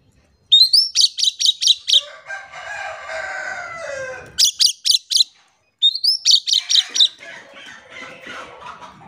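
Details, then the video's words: Singing Oriental magpie-robin (kacer), a gacor lure for birds that stay silent. Three rapid salvos of sharp rising notes are broken by a harsh, drawn-out, crowing sound. "PANCINGAN KACER GACOR"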